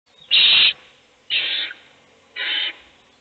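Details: Owls in a nest box as the mother feeds one chick while the other chicks sleep: three harsh, hissing screeches, each about half a second long, spaced roughly a second apart.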